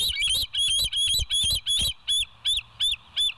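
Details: Bald eagle calling at West End, 7 July 2023 at 06:21 on a live nature camera: a rapid run of about eleven loud, piercing, squeaky notes, the first ones packed close together and the last ones slightly more spaced.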